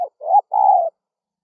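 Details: Lure call of a spotted dove for attracting wild birds: a clipped opening note, then a swelling rising coo and a longer mellow coo. Quiet background.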